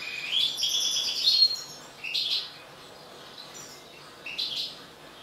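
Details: Caged European goldfinches of the major mutation type during mating. High, bright tinkling twitters come in short bursts, a longer run at the start and then brief clusters about two seconds apart, over faint background hiss.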